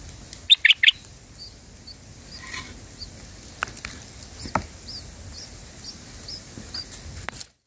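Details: Bulbul chicks being fed by their mother give a quick burst of three high, squeaky begging notes, then thin faint cheeps carry on in the background.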